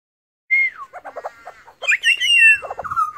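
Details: Wild Australian pied butcherbird singing while resting: a clear high whistle slides downward, then a run of short warbled notes, and after a brief pause a bright rising-and-falling fluty phrase rich in overtones.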